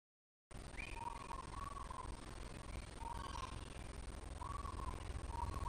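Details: Magpie geese roosting and feeding in a tall mango tree at Oonoonba, Townsville, Far North Queensland, in the morning. Faint, nasal, slightly rising honks come in short repeated series over a steady background hiss.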